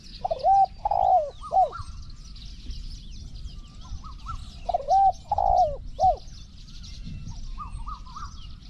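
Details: Spotted dove in Thai decoy trapping: two three-note cooing phrases about four seconds apart, the middle note long and falling, with fainter higher rippling notes between and after, over insect buzzing.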